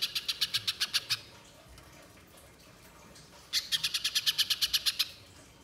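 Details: Spiderhunter lure meant to draw out singing: two runs of quick, high, evenly spaced chipping notes, the second longer at about twelve notes, separated by a quiet gap of over two seconds.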